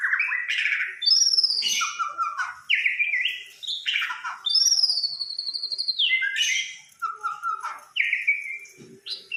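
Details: Fighter-type white-rumped shama from Samarinda singing continuously: rich, fluting whistles mixed with rapid slurred notes, long descending glides and abrupt chirps, delivered in rolling phrases of a few seconds each.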